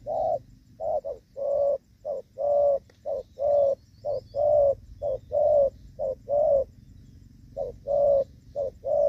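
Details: Rainy-season spotted dove trapping with a decoy on 23 July 2024, 'gù vấp' coo: a run of low, soft coo pairs, each a clipped note then a drawn-out one, about one pair per second, with a brief gap near the end.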